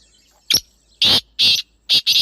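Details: The kala teetar, or black francolin, gives its natural call. One short scratchy note is followed by two long harsh grating notes and a rapid final pair, five loud notes over about two seconds.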